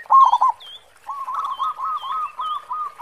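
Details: Local zebra dove with a powerful 'khong' song used as a lure: a loud rolling burst, then a softer string of about eight quick mellow coo notes, while short high whistles from another bird repeat above.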